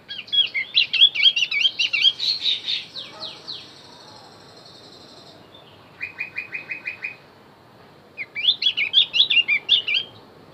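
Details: Javan grey-throated white-eye singing to lure wild birds: bursts of rapid, high warbled and twittering notes, a separate short series of evenly repeated buzzy chips, then another lively warbling burst.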